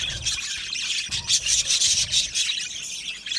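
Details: Aviary budgerigar colony singing, scratchy rasping warbles and chirps overlapping from several birds, swelling into louder pulsed bursts in the second half.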